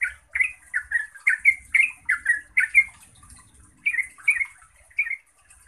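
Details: Yellow-vented bulbul, Pycnonotus goiavier, singing in rapid flowing style: bubbly, slurred chirping phrases in quick bursts, a run of about ten notes then a short pause and three more, with a faint high hiss above.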